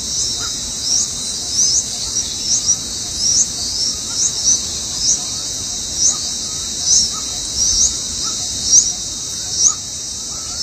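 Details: Hungry bulbul chicks beg with short, thin, high chirps, about one each second, while both parents work to feed them, against a loud steady hiss of insects.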